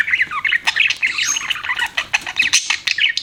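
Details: Pet budgerigars chirping continuously, a busy stream of short squawky chirps and warbled notes in quick succession.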